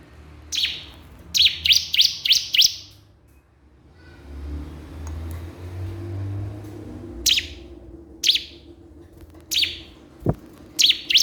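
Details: Bar-winged prinia (ciblek kristal) calling a rival. A fast run of five sharp, high chips is followed by scattered single chips and a final pair, over a low rumbling background.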